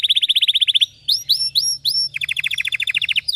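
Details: Red Belgian canary, vigorous deep-throated training song: a quick run of rolling notes, four upward-hooked whistles, then a rapid descending trill.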